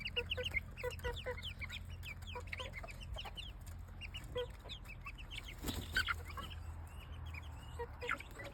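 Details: Many chicken chicks peep continuously, giving a dense stream of short, high, downward-slurred notes overlapping in quick succession, over a constant low electrical hum.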